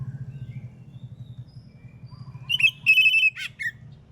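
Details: One whistled phrase from an Oriental magpie-robin singing in the morning to provoke other magpie-robins into answering: quick high notes, a steady drawn-out whistle, then a falling slur and a short final note, over a low hum.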